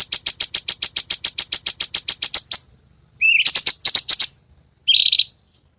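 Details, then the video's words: Besetan song of a cucak cungkok, used to teach songbirds: a steady run of sharp high chips, about three per second, then a rising whistled phrase breaking into quick notes, and a final brief buzzy note. "masteran ampuh suara cucak cungkok"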